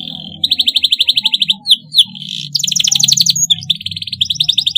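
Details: Canary song meant for young canaries learning to sing: a soft note, a steady rapid rolled trill, two quick swooping whistles, then a denser buzzy trill and another fast roll, with low hum behind.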